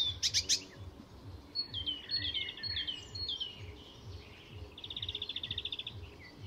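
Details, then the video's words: Icterine warbler singing at Fysingen reserve north of Stockholm, Sweden, a mimic weaving other species' calls into its song: brief high chattering burst, then scattered whistled notes and a fast buzzy trill near the end, with faint low background hum. "Icterine Warbler in full song; A master of mimicry…"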